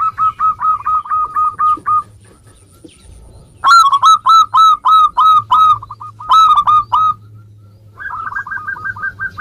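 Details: Zebra dove of a local Indonesian strain in active song, meant to stimulate other doves: long runs of rapid, evenly spaced coo notes, with a louder, ringing stretch in the middle and a softer series closing.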